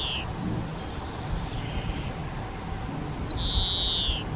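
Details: Collared flycatcher at a garden nesting site, a cavity-nesting bird that breeds in nest boxes; a brief high whistle opens the clip, then a longer thin, level whistle comes near the end over a steady low rumble.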